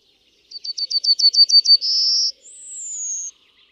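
A Yellowhammer sings a quick run of about nine high, clipped notes, then a drawn-out buzzy note and a final higher, slightly falling whistle. No other sounds.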